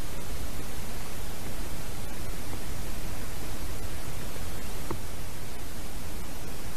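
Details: Continuous hiss and low rumble of static fill the recording, and no animal calls can be picked out.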